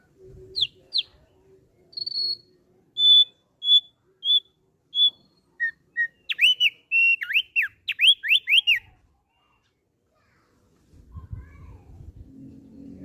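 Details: Kept Thick-billed heleia: scattered whistles at shifting pitches, then a lower pair of notes, followed by a rapid chattering sequence of steep slurred whistles; silence and low rumbling noise follow.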